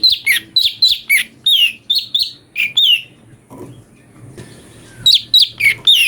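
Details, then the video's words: Brown-breasted bulbul singing, used as master material for teaching magpie-robins: a lively string of sharp, bright chirps, some sliding downward, then a quiet gap with faint rustling before another fast burst of chirps. "fariasi suara cungko buat masteran murai"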